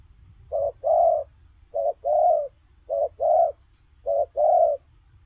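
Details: Spotted dove on the move giving four paired coos, a quick clipped note then a fuller, hoarse, lower-pitched coo, evenly spaced about a second apart, faint hum in the background.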